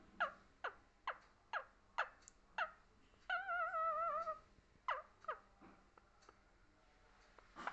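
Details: Talking parrot giving a string of sharp, evenly spaced squawks, then a sustained wavering, warbling tone about a second long, followed by more scattered short calls.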